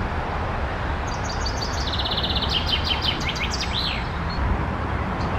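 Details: Male common chaffinch singing on 24 May 2021 while catching insects between songs; a fast high descending trill ending in a downward flourish, with another short phrase after, over constant loud low rumbling noise.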